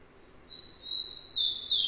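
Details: Rufous-collared sparrow (tico-tico) song: a thin high whistle opens, then a louder, brighter slurred phrase rings out near the end.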